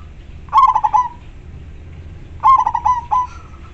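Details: Local zebra dove singing steadily, its clear, big voice used to lure wild doves: two cooing phrases roughly two seconds apart, each a loud opening note followed by three or four quick choppy notes and a fading tail.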